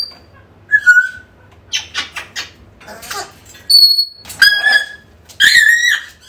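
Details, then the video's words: African grey parrot calls used to lure a lost bird back: a mix of whistled notes, a clear rising-falling whistle near the end, and rough squawky bursts, with quiet room hum behind. "AFRICAN GREY SOUNDS CALLING / Used this bird sounds to get your bird back!"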